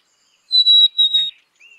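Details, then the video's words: Black-capped chickadee giving a clear, pure whistled song of two long notes, the second slightly lower than the first, with a short faint lower whistle trailing after a pause. "Black capped Chickadee Song ! Black capped Chickadee Sound ! Black capped Chickadee Call"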